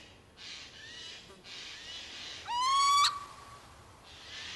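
A Little owl gives one drawn-out, slightly rising, nasal call lasting about half a second, over a steady background hiss of wind or rustling.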